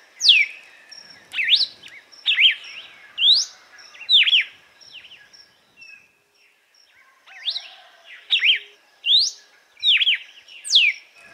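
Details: Red-cowled cardinal (Paroaria dominicana) singing the açoite style of song, offered for warming up and training birds: loud, clear whistled notes that swoop sharply up and down, in quick phrases of about one per second, with a short pause midway.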